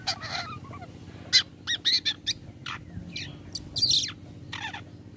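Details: Lure call of a long-tailed shrike meant to make other shrikes reply: short rasping notes and clipped chirps in a loose series, with a constant low hum behind them.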